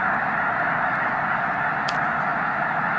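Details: Peak migration of snow geese at Loess Bluff National Wildlife Refuge, March 2021. Dense blended honking from a vast flock, even and continuous, with a brief sharp click partway through.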